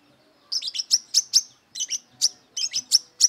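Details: Wiceh song of a brown-throated sunbird eager to fight rivals: after a brief silence, quick bright high chirps in two runs of five to six notes, separated by a short pause.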